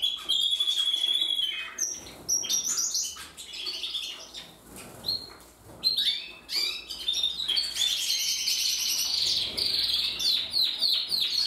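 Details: Several canaries singing: long high trills, rapid chattering chirps and bright buzzy rolls in overlapping phrases, with brief quieter gaps.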